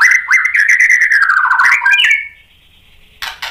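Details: White-rumped shama, a vigorous singer, used to goad other shamas into song: a sustained, wavering whistled warble that ends in a sliding note, followed by a brief harsh burst.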